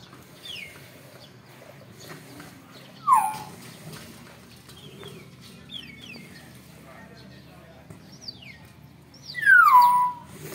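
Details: Young Nias hill myna in its daily noisy routine gives two loud, clear, sharply downward-sliding whistles about six seconds apart, with fainter chirps between and a low background hiss.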